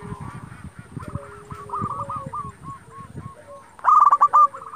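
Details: Actively singing local zebra dove, played to provoke rival doves and raise breeding urge: a string of short hooked coos at a steady pace, low rumbling in the background, ending in a loud rapid rolling burst.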